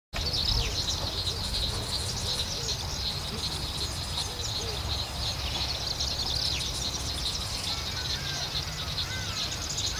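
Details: Cape weavers at Vryheid, South Africa, on 2 December 2011 keep up a dense, buzzy chatter of high chirps and sizzling notes, many birds calling over each other, against a low rumble of background noise.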